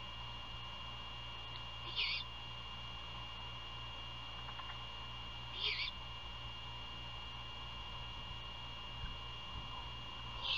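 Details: Great horned owl by its nest near Savannah, Georgia, 27 February 2022 at 1:38 AM while prey is passed over for feeding; two short, rough, breathy screeches nearly four seconds apart, otherwise quiet apart from a steady hum.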